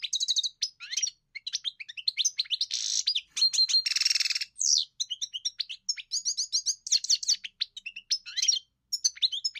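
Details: European goldfinch singing a quick, continuous tumble of high twittering notes, liquid trills and buzzy rasping phrases with very short pauses, and no other sounds.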